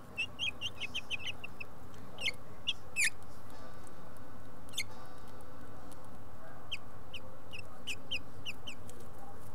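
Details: House finch nest with five hatchlings: a rapid run of thin high chirps at the start, then louder single squeaks and a later burst of evenly spaced peeps over constant low rumbling noise.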